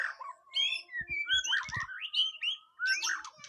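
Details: White-rumped shama's song during a first mental test: clear, bright whistled notes sliding up and down in quick succession, with a few soft knocks in between.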